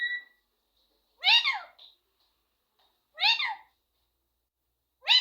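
A rose-ringed parakeet gives three short, nasal, speech-like phrases about two seconds apart, each a rich, slightly raspy burst with a faint squeak between.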